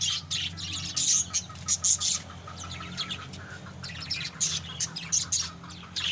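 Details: Pet African lovebirds chatter in rapid, shrill, high-pitched chirps and squeaks, several overlapping in quick bursts, over a low steady hum.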